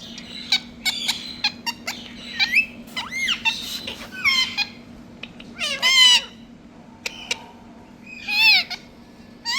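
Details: Talking parrots in India making a string of varied squeaks, clicks and harmonic, wavering vocal sounds in irregular bursts over a steady low hum.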